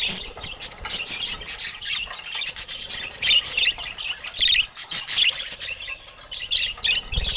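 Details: Budgerigars, pet birds bred for colour mutations, keep up a continuous high, scratchy warble of squawks, chirps and rapid twitters, several voices overlapping with no pauses.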